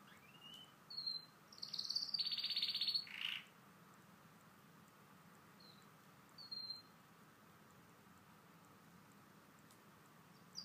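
A canary gives high, thin whistled notes and a dense two-second trill, then falls quiet apart from a few scattered chirps.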